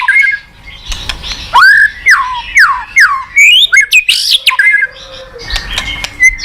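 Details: White-rumped shama song played to a reluctant pet bird: loud slurred whistles sweeping up and down in quick succession, with sharp clicks between, then softer notes at the close.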